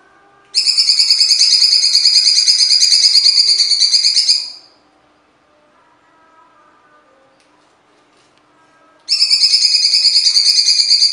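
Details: Cucak cungkok singing in an original recording, with pauses and harsh phrasing: a buzzy, rapidly pulsed trill that holds an even pitch for about four seconds, then four seconds of silence before the next trill begins.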